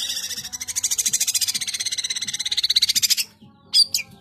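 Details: Long-tailed shrike (cendet) producing a long, fast pulsing buzzy trill of about three seconds, followed after a pause by a sharp high whistled note.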